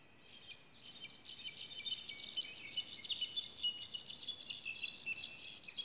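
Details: Several goldfinches twitter together in a cloud forest at La Trinidad, Xilitla, in a dense, continuous chorus of high, quick chirps and warbled notes, overlapping without pause over a soft background hiss.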